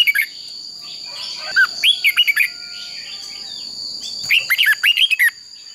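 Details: Red-whiskered bulbul fighting song for training birds: two clear bursts of quick, fluted whistles and twisting notes, about two seconds apart, with a soft high background tone and a faint hiss.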